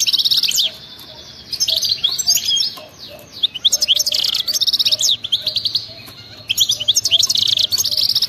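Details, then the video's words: Goldfinch wild singing with 'batbata' twitter: repeated phrases of high, rapid jingling and buzzy trills, with sliding whistles between them, separated by brief pauses. "أطلع لي اي حسون ما يغنيش وسمعو هذا التغريد 😱😠 راح يغني بدون مقدمات بتبتة جنونية وغناء خلوي خرافي"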